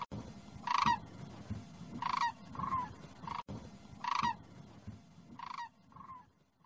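Demoiselle crane giving loud, rolling, trumpeting calls that repeat about every one to two seconds.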